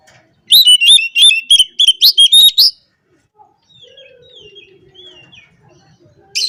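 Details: Oriental magpie-robin in lively 'gacor ngobra' singing, meant to provoke rival males: a two-second burst of rapid, sharp chirps and trills sliding between high notes, then a pause with a few faint, drawn whistles and a final loud note.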